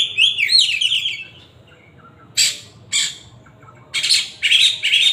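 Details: Oriental magpie-robin with a loud whistled song: a quick burst of sliding whistles, then a pause and several harsh, rasping squawk notes separated by silent gaps.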